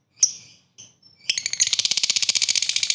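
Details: Lovebird giving the long ngekek trill, meant to rouse other lovebirds: a few sharp high chirps, then a fast, even, buzzy rattle of rapid repeated notes that runs on steadily to the end.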